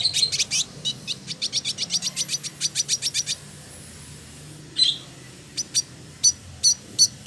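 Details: Male Village indigobird in Bandung, Indonesia, kept as a song tutor and singing actively. A fast run of dry, clicking high notes lasts about three seconds. After a pause, louder separate chirps follow at uneven intervals.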